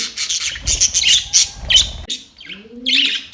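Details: Playing budgerigars give busy, high, scratchy chirps and warbles for about two seconds, then a quieter gap in which a low, hoarse, rising-and-falling call is heard before the high chatter resumes.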